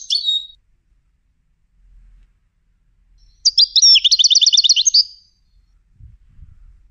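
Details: A European goldfinch trained for song competitions gives a short high note, then after a pause a tight, rapid, buzzy-tinkling trill of repeated notes. Quiet gaps separate the sounds.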